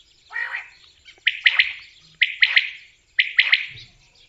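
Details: Common quail voice: after a blurred opening note come three crisp phrases of three quick, sharp notes each, spaced about a second apart, with nothing else heard.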